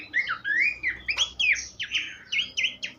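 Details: Horsfield's babbler, a tutor recording for songbirds, giving a long rising-falling whistle followed by a string of bright, sharp chirped notes.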